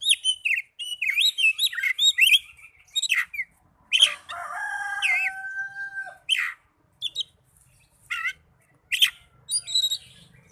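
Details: Oriental magpie-robin song played to get caged birds singing: a quick series of bright whistled notes, a long harsh nasal phrase, then spaced sharp down-slurred chips and a few clear whistles.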